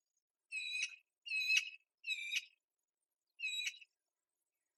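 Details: A female Eurasian magpie begs from inside her nest in a jasmine shrub, her whining call less forceful than before, and the male does not come: four harsh nasal whines of about half a second, spaced under a second apart.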